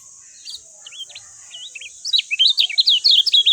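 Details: A lemon-bellied white-eye starts with scattered soft, curving whistled notes, then breaks into a loud, rapid twitter of bright, downslurred chirps.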